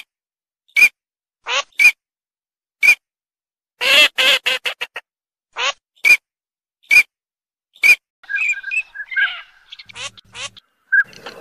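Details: Eurasian teal giving clear high whistles at irregular intervals, a quick stuttering burst of rough nasal notes, then softer lower chattering calls toward the end.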